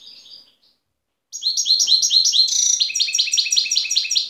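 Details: A wild Tiaret goldfinch (Algeria, 2015) gives a brief faint twitter, pauses, then launches into a loud, sustained stream of rapid, upward-slurred chirps and tinkling trills about three seconds long.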